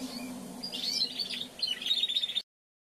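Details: Young male Timbrado canary practising its song after the moult: a run of high, rapid chirping trill phrases that grow busier toward the end, over a low steady hum.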